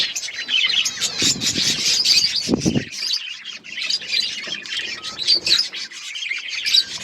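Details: Several budgerigars twitter and warble in constant high chatter, with a short low rustle partway through.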